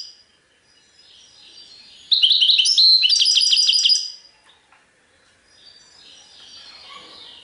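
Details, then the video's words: European goldfinch singing in the Serfati Tiwawati song style: one rapid two-second burst of bright twittering notes and trills, followed by near silence with faint background hiss. "تغريد حسون سرفاتي تيواواطي"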